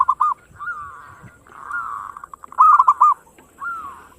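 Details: Zebra dove of the local kind, sung to stimulate other birds: looping coos alternate with drawn-out purring trills, a loud cluster of bubbling notes near the end, light background rumble.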